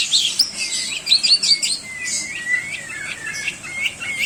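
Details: Long-tailed shrike singing a varied song used to tutor other cagebirds: whistled slurred notes and descending glides mixed with quick high squeaky chips.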